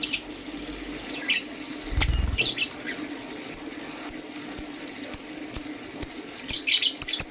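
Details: Green and blue lovebirds chirp in the morning, with short, sharp high notes repeated roughly twice a second and a few harsher bursts, plus one brief low thump early on.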